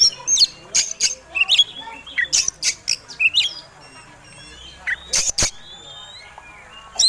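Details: Oriental magpie-robin, a fighting contest songbird, singing persistently as a lure to provoke other birds: loud bursts of sharp chirps and rising whistled notes in quick clusters, with pauses between and a final burst at the end.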